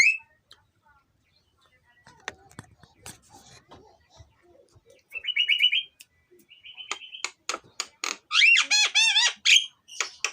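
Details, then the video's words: Black-winged starling, a lure recording: faint scattered clicks first, then loud buzzy trills and sharp notes, closing with a fast wavering whistled rattle. "suara jalak kebo part4, cocok untuk pancingan"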